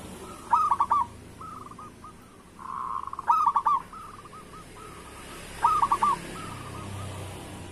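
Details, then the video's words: Local zebra dove song, used to get other doves singing. Three loud stuttered coo phrases about two and a half seconds apart, each of several quick notes, with faint rolling coos in between. "Perkutut Lokal Gacor Suara Pancingan Burung Perkutut Paling Cepat Bunyi"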